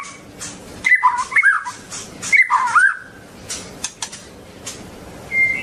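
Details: Long-tailed white-rumped shama delivers two short warbled whistle phrases, then a thin high note near the end, amid repeated sharp clicks and a hissy background.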